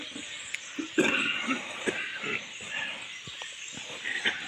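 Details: Common starlings singing near a garden with a thick old tree in Uzunbey village, Polatlı, Turkey: a busy, continuous medley of overlapping clicks, rattles and short whistles over faint background noise.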